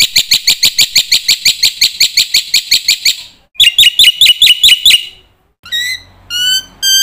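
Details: A black-winged myna pours out energetic song with many imitations, used as a training lure for young mynas; a steady fast ticking trill gives way to shorter chirps, then clear, thin whistled notes.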